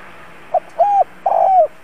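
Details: Caged spotted dove used to lure wild birds, giving a three-note call: a brief pip, a level coo and a long burry coo that sags at its close, against steady background hiss.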